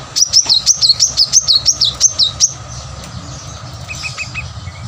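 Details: A plain-throated sunbird pours out about eleven quick, high, wavering notes over two and a half seconds, then falls quiet apart from a few faint lower chirps. The song is used to stir reluctant birds into singing.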